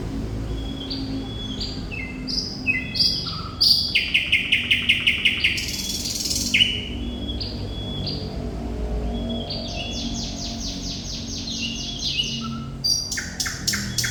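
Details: A thrush nightingale (Luscinia luscinia) sings a varied, loud song of sharp whistles, rapid rattling clicks and trilled phrases, changing every second or two, over a faint low background hum.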